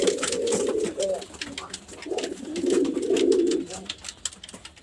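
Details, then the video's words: Close, loud pigeon cooing: a drawn-out throaty coo, a brief pause, then another rolling coo phrase, with faint clicks in the background. "Pigeon Chirping Sounds | Natural Pigeon Sounds | Pigeon Calling Sounds"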